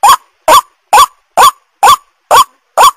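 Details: Lure call of a white-breasted waterhen, used to draw in wild birds, gives strong nasal honks, each with a brief upward inflection, evenly spaced about every half second, seven in a row.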